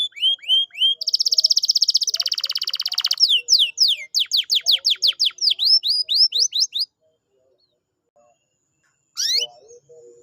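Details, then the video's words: Domestic canary singing, played to coax a silent canary back into full song: clear rising whistles, a long buzzy rattling trill, then rapid falling slurred notes repeated about three per second, a pause, and a final rising phrase. "pancingan kenari malas bunyi/agar gacor lagi"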